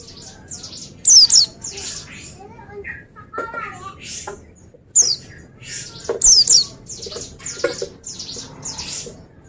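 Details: Oriental white-eye, said to sing lively and draw replies from others, giving short bursts of high, steeply falling thin whistles in twos and threes, with softer chirps and faint lower voices between bursts.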